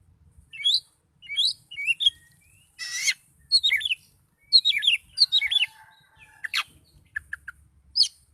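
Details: Oriental magpie-robin singing in a highly agitated state: quick high whistled and chattering phrases, rising and falling notes with short pauses between bursts, plus one harsh buzzy burst near the middle.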